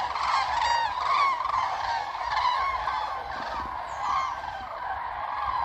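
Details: Distant flock of common cranes on coastal lagoon meadows near Ribnitz, Germany: loud overlapping trumpeting with clear repeated rolling calls in the first seconds, then a softer continuous chorus.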